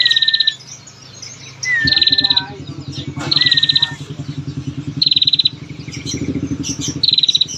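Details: Female bar-winged prinia calling as a lure for males: repeated rapid ticking trills, some led by a slurred whistle, while a steady low engine-like drone runs through most of the recording.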